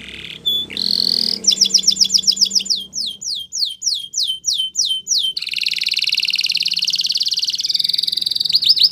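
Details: Spanish Timbrado canary in song, opening with a brief whistle, then strings of rapid sweeping notes repeated about four times a second before settling into a long, even, metallic rolling trill, with low background rumble.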